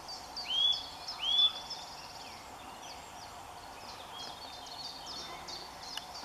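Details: Eurasian nuthatch singing in full sunshine in the first days of March: two loud, rising whistled notes in quick succession, followed by faint high chirps and twitters in the background.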